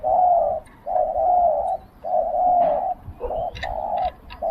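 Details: Caged decoy spotted dove luring wild doves, Thailand. Long, steady, low coos, some nearly a second, come in a slow uneven rhythm, with brief faint bird chirps between.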